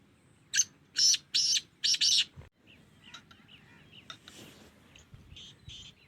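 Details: Black francolin chick, 2.5 months old, calling alongside adult francolins: four loud, harsh, broadband rasping bursts in quick succession, followed by faint scattered chirps and quiet background noise.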